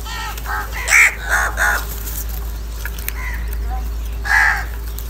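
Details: Crows in a fight, calling in anger and for food: a run of harsh, hoarse caws in quick succession, then a quieter pause and one more rasping caw, with steady low hum beneath.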